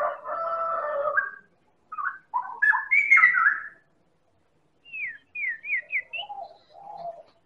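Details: White-rumped shama from Medan in a lure recording meant to make other birds sing: a long rich harmonic note, varied chattering phrases, a pause, then a quick series of four or five descending whistled slurs and low warbles.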